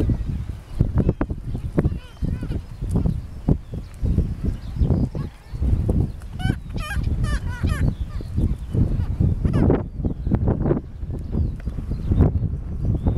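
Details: Black-legged kittiwakes calling in a busy colony at Bempton Cliffs, Yorkshire, on 10 May 2012; nasal wailing cries overlap against heavy wind rumble.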